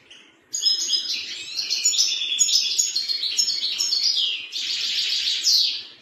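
A European serin sings a fast, high, jingling stream of buzzy, glassy notes, running almost without pause for over five seconds.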